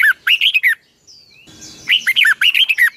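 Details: In the long double twisting style (giọng kép xoắn dài), a red-whiskered bulbul sings its morning training song from 2020. Two phrases of crisp, up-and-down whistled notes, five to seven notes each, are split by a soft sliding whistle.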